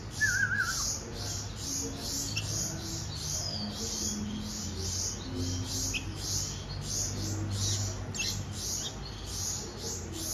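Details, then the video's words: Baby bulbuls being hand-fed beg with harsh, hissy high chirps pulsing about twice a second, a brief warbling whistle near the start and a low background hum. "Hand Feeding Baby Birds - Bulbul Birds"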